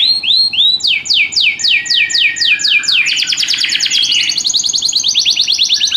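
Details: Canary singing indoors in a spectacular rhythm: high sweeping downslurred notes repeated in a fast series, then a rapid buzzy trill and bright chattering phrases, all continuous and loud.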